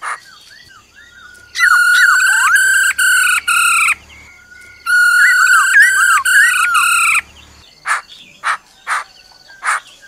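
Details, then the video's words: Black-throated laughingthrush giving forest-voice song with the female's trill: two long, pulsed, rich rolled phrases separated by a brief pause, then a series of sharp clicking notes repeated roughly every half second. "Khứu bạc má hót giọng rừng kèm theo tiếng mái ro ro"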